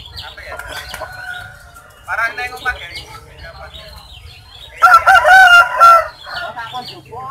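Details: Rare rooster at a market in Sukoharjo, Indonesia, whose odd crow is likened to calling out Jokowi. Broken, nasal crowing phrases build to a loud drawn-out crow near the end, over background market noise.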